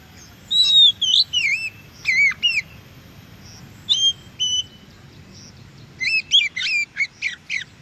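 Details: Oriental magpie-robin singing in the wild, recorded to stimulate captive birds to answer: clear whistled notes in short bursts, slurred rising and falling phrases, with a pause mid-clip, then a quick run of sharp notes.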